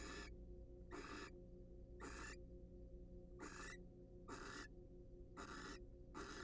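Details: Wild barn owls sharing a preening and courtship moment in a monitored nest box; short noisy screeching hisses, some paired, slightly irregular in spacing, against low hum.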